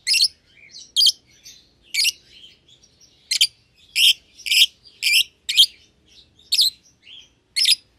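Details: A young pair of caged lovebirds, euwing green opaline and albino, that were seen feeding each other: sharp shrill chirps about once a second, some doubled, with faint twittering.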